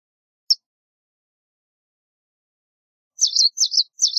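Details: A single sharp chirp from a white wagtail, a long silence, then three quick, high, buzzy chirps in close succession.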